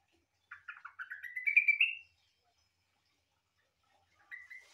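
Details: Yellow-vented bulbul singing, likened to a cucak ijo: a single rapid chattering phrase that climbs steadily in pitch over about a second and a half, ending in a bright whistled flourish, followed after a pause by a brief softer note.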